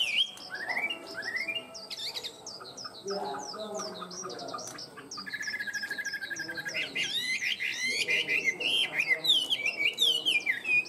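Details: Tame caged Chinese hwamei singing a rich, varied song of loud whistled slurs and rapid rising and falling notes, with fast trills toward the end; faint human voices murmur underneath.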